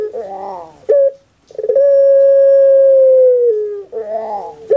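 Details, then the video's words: Javanese puter pelung dove in its 'kuk gerukkk kwokkk' style: a bubbling gurgle and short note, a brief silence, then a sustained smooth hoot that drops slightly before another gurgle. "PUTER PELUNG SUARA EMPUK"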